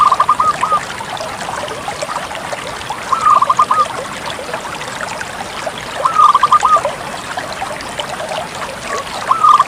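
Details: Bangkok zebra dove song repeated roughly every three seconds: four brief phrases, each a clipped leading note then a quick cluster of stuttering coos, with continuous trickling-water-like hiss throughout.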